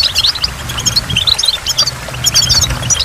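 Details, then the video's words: At a waterfall, short bursts of high twittering goldfinch song, quick chirps grouped in clusters, set against low rumbling background noise. "in the waterfall stimulates goldfinch and water drops"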